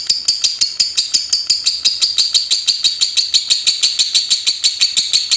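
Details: Lovebird singing in the rapid chatter style called ngetik: a fast, steady run of sharp high clicking notes, about three per second throughout, with no other sounds.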